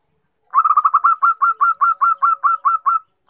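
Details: Female zebra dove call aimed at a male. A single phrase opens with tightly packed, rolling notes, then slows into a dozen distinct, slightly rising coos spaced evenly to the end.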